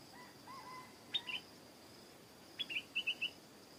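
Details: Stripe-throated bulbul in a garden, singing two short phrases of quick, clear, slurred whistled notes: first a brief pair, then after a pause a run of five bright notes, over a steady faint high hiss.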